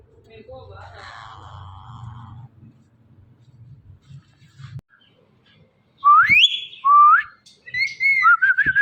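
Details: Talking Indian ringneck parakeet: after several seconds of quiet murmuring and low room hum, three loud, sharply rising whistled phrases follow one another, the last breaking into a buzzy wavering note.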